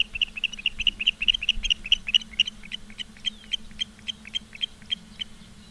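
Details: Osprey nest in Charlo, Montana, live camera, 15 August 2023 at 16:06: loud, fast whistled chirps at first, easing into softer, more spaced calls, with a constant low hum.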